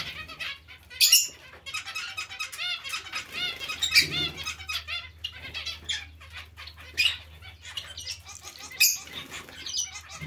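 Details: Zebra finches calling as a colony with other finches present: a busy stream of nasal, buzzy beeps and chattering notes, several sharp louder chirps standing out, and a faint low hum with wing flutters.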